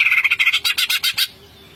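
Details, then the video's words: Greater green leafbird in ngentrok song: a quick run of about ten harsh, chattering notes, the later ones louder and more explosive, then silence. "CUCAK IJO GACOR NGENTROK full isian"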